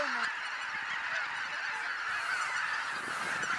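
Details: Wild geese taking flight at dawn over Kabukuri-numa marsh: a dense, unbroken chorus of countless overlapping honks from a huge flock, forming a steady roaring wall of sound.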